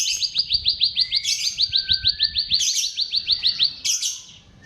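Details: Bar-winged prinia singing a quick run of bright, upward-flicked chirps about three per second, broken by brief rasping bursts; meant as a lure for silent birds.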